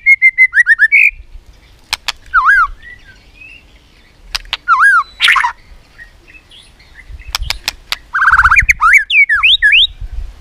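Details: White-rumped shama singing competitively with tail-flicking and repeated tak clicks: a rapid series of falling whistled notes opens, followed by scattered sharp clicks and bursts of rich, twisting warbled phrases.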